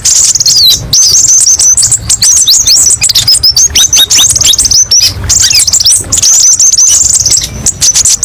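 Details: Kept kolibri ninja sunbird delivering a sharp, high-pitched song of many varied 'tembakan' shots: rapid downslurred whistles and buzzy trills in bursts broken by short pauses.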